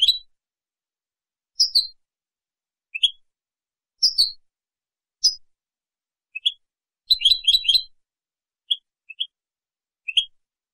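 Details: European goldfinch singing clean Spanish-style song (canto limpio) for training juveniles and contests: short high scattered twitters and chips at irregular gaps, with one brief rapid burst of linked notes near the middle; no other sounds.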